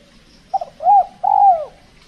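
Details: Spotted dove at a decoy trapping site in the Riau Islands during the cold, extreme season, when birds are said to be less bold and aggressive: a short soft note, then two drawn-out, mellow coos, the last sliding downward.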